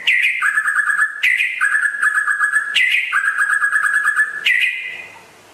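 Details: White-rumped shama from West Aceh, called rare and a strong singer, repeating a loud pattern: a high clear note dropping to a long rapid trill, cycled four times about every second and a half.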